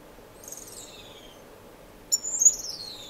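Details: A few high descending whistled notes, a pause, then a sharp chirp leading into a bright falling twitter from finches in an indoor, non-breeding community aviary, Edmonton, Canada, March 26, 2015.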